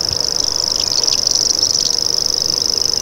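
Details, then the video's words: High, unbroken insect-like buzzing of a common grasshopper warbler (Locustella naevia), with quick chirps from other birds mixed in. "Common Grasshopper Warbler Call"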